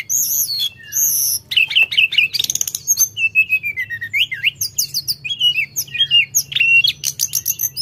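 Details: Sooty-headed bulbul singing energetically: a rapid, varied stream of high whistled slurs, rising and falling notes and short chirps, some sharp and clipped, delivered almost without pause over a faint low hum.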